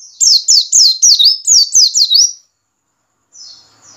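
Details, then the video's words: Ngiriwik call of a white-eye, played to caged white-eyes to encourage singing: about eight sharp, high, downslurred chirps at a steady quick pace, then a pause and a faint thin whistle. "pancingan pleci ngiriwik agar cepat ngalas dan gacor"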